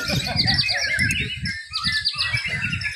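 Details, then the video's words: Murai batu, the white-rumped shama, singing at a contest event in Mimika, Papua: fast, bright, high warbling with repeated clipped notes over a steady murmur of spectators talking. "MATERI FULL ISIAN vs ROLL TEMBAK AUTO JUARA.??, BIRD CONTEST MURAI BATU B"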